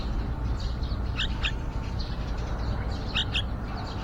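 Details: Yellow-vented bulbul family nesting outside a window: two quick doubled chirps, then faint softer notes between them, all over a humming low background.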